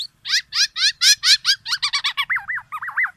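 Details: Black-naped oriole: a rapid series of harsh, buzzy notes that speeds up, then gives way to looping, rounded whistled notes. A faint low hum lies underneath.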